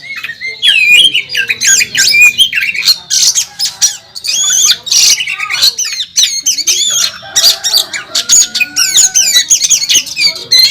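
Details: Caged Oriental magpie-robin, a national first-place champion, singing in fighting mode on a bird contest track: a dense, loud, varied stream of whistled slurs, rising and falling trills and sharp chips, packed with fast changing phrases.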